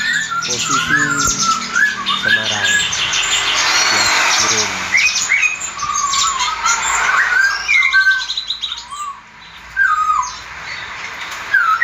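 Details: Caged sooty-headed bulbul for sale near Semarang. A person speaks at first over a noisy stretch, then the bird gives bubbly, wavering whistled phrases in separate bursts with brief quiet gaps.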